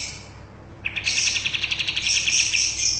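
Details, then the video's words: Bulbul, a kapas tembak, singing a lively song used as a tutor recording for caged birds: after a short quiet start, a fast run of high, thin, twittering pulsed notes, rapidly repeated and sustained to the end. "Burung Kapas tembak gacor buat masteran"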